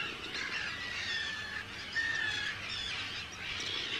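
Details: Hundreds of Arctic terns at their breeding colony, Rottumerplaat, Netherlands, 4 June 2023; drawn-out harsh grating calls overlap with a brief clear whistled note midway, amid continuous colony noise.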